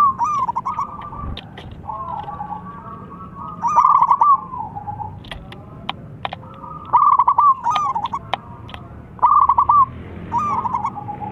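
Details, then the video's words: Loud calling of a local Zebra dove meant to make others answer: short bursts of fast staccato coos spaced a few seconds apart, with sharp clicks between them. "PERKUTUT LOKAL BERSUARA LANTANG MEMANGGIL BIKIN NYAUT"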